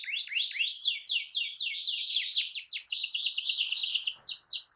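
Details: Continuous singing of a lively domestic canary, meant to stimulate a quiet canary: rapid rising sweeps run together into rolling, buzzy trills with no pause.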